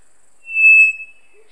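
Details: Three-wattled Bellbird in Monteverde, a bird giving very loud calls all day; one pure, steady whistled note about half a second long, played back at reduced volume, with a faint low note after.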